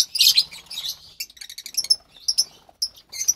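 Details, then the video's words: Two young lovebird chicks of pastel colouring, March 3rd, 2021; a rough squawk opens, followed by rapid high ticking chirps and scattered brief squeaks. "Two Lovebird Chicks From White Pastel Violet & Pastel Mauve"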